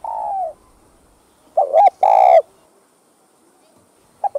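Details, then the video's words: Cu gáy (spotted dove) cooing to stir up kept doves: the tail of a long coo, then a full phrase of clipped notes and a strong sustained coo, and the start of another phrase. "Tiếng Cu Gáy Giọng Hấp Dẫn ĐỦ BÀI [GÁY GỌI,THÚC,GÙ ] Kích Bổi Nhanh Nổi"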